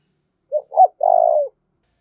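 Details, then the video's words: A single phrase from a decoy spotted dove urging fighting: a soft short note, a louder bent note, then a long steady purring coo. "Tiếng chim cu mồi thúc đấu"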